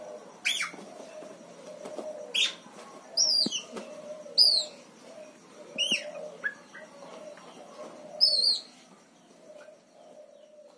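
Siamese fireback giving sharp, high, down-slurred chirps about every second or two over a low murmuring hum, with a few softer chirps between.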